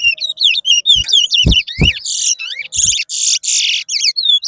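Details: Chestnut-bellied seed finch (towa towa) singing in a bird race at Rosehall, Guyana: a rapid, unbroken warble of whistled, sliding notes mixed with harsh, buzzy bursts. Low knocks are heard now and then, and a person counts aloud nearby.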